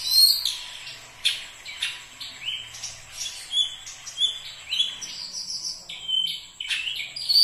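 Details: Kacer (Oriental magpie-robin) singing bright, high whistles and short rising slurs between sharp ticking notes, in spaced phrases about every second.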